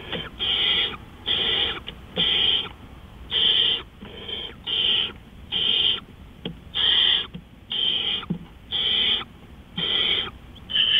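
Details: Owl recorded at 3:15 AM on 20 April 2013, giving harsh, hissing screech bursts, each about half a second long, repeated roughly once a second for eleven seconds, with low background rumble.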